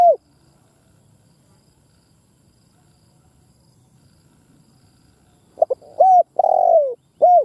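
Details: Lure spotted dove cooing to entice wild males to fight: after a long silence, a stuttering phrase of clipped notes runs into a long, falling coo and a final short note.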